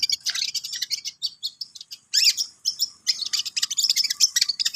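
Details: Cendet, the long-tailed shrike, practising its song in bursts of fast, harsh, high-pitched twittering, broken by short gaps of silence around the middle.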